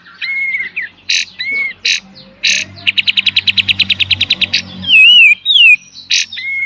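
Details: Kapas tembak, the Olive-winged Bulbul, in master song style 'beset dan tembak' for training cage birds: rasping calls and short whistles, then a long even rattle of about fifteen ticks, followed by wavering whistles.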